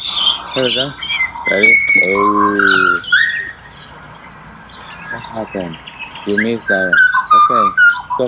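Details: Pied butcherbird in Australia: sustained rich whistled notes alternating with bursts of rasping, stacked squawks repeated at an uneven pace, plus scattered high chirps.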